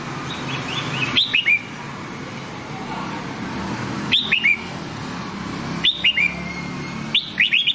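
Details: Nam Đông-style red-whiskered bulbul training song: four brief liquid whistled phrases, each a rapid rising-falling trill, spaced irregularly one to two seconds apart against constant low background hum.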